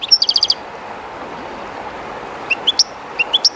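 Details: European goldfinch singing very close to the Río Jerte's flowing water: a brief rattle of rapid repeated chirps, a long pause, then a few spaced, clear rising notes over a continuous river rush.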